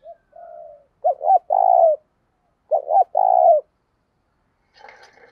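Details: Spotted dove kept as a decoy, calling to provoke fighting: a soft low coo, then two strong phrases of paired short notes and long coos about two seconds apart, ending in a brief rustle.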